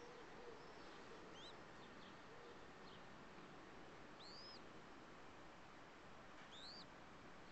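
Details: Newborn common wood pigeon chick, hours after hatching, squirming in a window box in Paris on 29 May 2010; thin, high, arching squeaks rise then fall, about three spaced over several seconds, above a steady background hiss.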